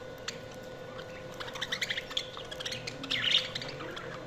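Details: Budgerigars chattering softly in quick, scratchy chirps and warbles, with a slightly louder grating squawk near the end and a low steady hum throughout.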